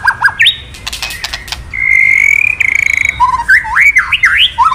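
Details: White-rumped shama, male, excited by 'kretekan' playback into 'isian' song: clicks and brief notes, a long steady whistle, then buzzier tones and wavering, rising-and-falling whistles.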